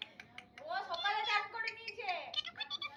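A parrot talks in a high, slightly nasal voice, running several speech-like syllables together with rising and falling tones. The room is quiet apart from faint clicks.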